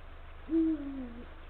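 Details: Deep single hoot from a male Eurasian eagle-owl calling to the female from the nesting area, late afternoon of 17 February 2023, 16:45. A short upward swoop, then a steady tone that slowly droops downward. Quiet low hum behind.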